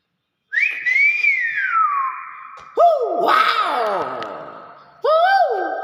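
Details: Common hill myna whistling: a long arched note that levels into a flat tone, then a harsher, noisier call with falling strokes, and a final short rising-falling whistle. Indoors.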